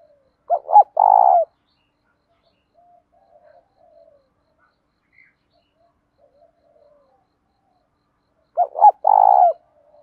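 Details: Two coo phrases of a spotted dove, a voice used for provoking other doves during training, about eight seconds apart. Each phrase is two short rising hoots and then a prolonged mellow coo, with only faint soft sounds in the long gap.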